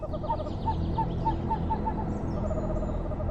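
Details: A Barred Owl gives a quick run of about seven short, evenly spaced, fairly high hoots over a steady low rumble, calling in a forest at dusk to declare its territory.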